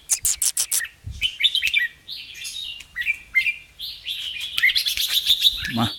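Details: A caged red-whiskered bulbul sings bright, chattering, whistled phrases in quick bursts, with a man's voice briefly urging it on. Red-whiskered bulbul song.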